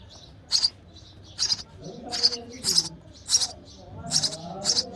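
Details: A hungry baby sparrow in the nest begs as its mother feeds it, with short, high chirps repeated about every second, alongside faint low murmuring and background noise.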